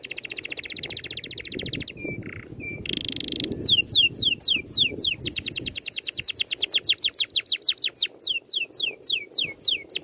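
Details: Rolling songbird training sequence: buzzy rattles and flat whistles lead into a fast, tightly spaced series of sharp downswept whistles and a rapid trill lasting several seconds.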